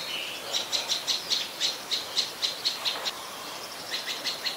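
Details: Adult Common Tailorbird, a common resident, recorded at Ubon Ratchathani, Thailand, on 12 February 2023: sharp high chipping notes repeated rapidly, about five per second, in a steady run with a brief pause before the series resumes.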